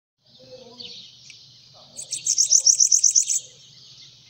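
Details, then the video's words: Bananaquit singing while perched on a person's hand: after soft, hissy high notes, a rapid burst of about nine sharp, bright, very high ticking notes runs for just over a second. A low hum sits underneath. "SIBITE CANTANDO NA MÃO"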